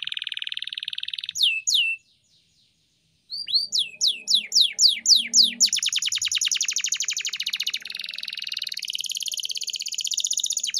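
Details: Canary training song: buzzy trill and high whistles, a short gap, then falling whistled sweeps leading into a long rapid rattling trill with a broad buzzy texture.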